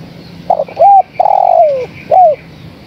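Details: Female spotted dove calling to the male, used as a lure sound: a short coo, a rising-then-falling coo, a long drawn coo sliding downward, then a final arched coo, all mellow and low over a quiet background.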